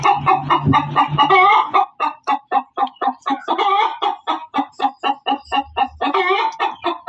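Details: Hen cackling loudly: a rapid run of harsh, nasal clucks repeated several times a second, the first two seconds denser and overlapping, with a low hum beneath the opening.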